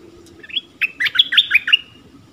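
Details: Streaked-eared bulbul's cheerful burst of rapid, slurred chirping notes, rising and falling over about a second, with a low murmur of background noise underneath.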